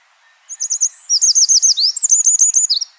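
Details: Eurasian wren, a free-living bird, singing a fast, high run of sharp chirping notes: about a dozen and a half crisp, varied elements delivered in quick succession over two and a half seconds.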